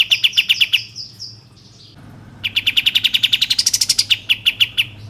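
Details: Kapas tembak bulbul used as a lure to prompt other birds to sing and fan their tails: fast series of sharp, even chirps, a brief pause, then a longer rapid run rising higher before dropping back.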